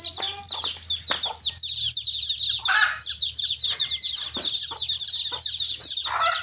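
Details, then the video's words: Many baby chicks peep at once in a steady, shrill, overlapping chorus of quick high chirps, broken by a few brief lower rustling or fluttering sounds, one near the middle and another at the end. "The sound of chicks chirping."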